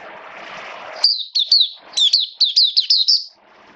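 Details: High, sweet twittering burst from a caged Oriental white-eye during wet rainy weather. A short series of quick down-slurred chirps follows a stretch of low background noise.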